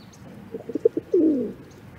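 A rock pigeon gives a few short, soft low notes followed by a longer, throaty drawn-out coo, all in a deep murmuring pitch.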